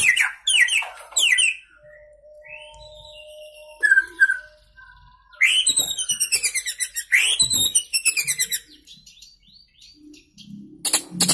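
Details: Young white-rumped shama just out of spotted juvenile plumage, a contest candidate from Indonesia, singing in a burst of mimicked filler phrases: varied whistles and sweeping notes, then a fast run of rapidly repeated sharp chips, with quiet pauses between phrases.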